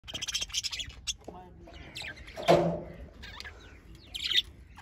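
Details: An aviary colony of budgerigars in mating time chatters with overlapping chirps, squawks and warbled twitters.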